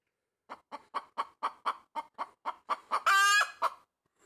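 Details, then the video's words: Pet hen standing on a tree branch making loud chicken noises: a run of about eleven short, evenly spaced clucks, each a sharp burst, broken near the end by one loud drawn-out squawk with stacked tones before a final cluck. "Bekiki Yapping while standing on a tree branch"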